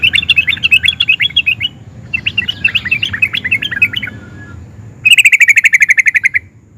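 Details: Excited sooty-headed bulbul mixing nguplik and ngerol styles, a song said to draw answers from other bulbuls: two runs of choppy warbling chatter, then a fast rolled trill of repeated notes.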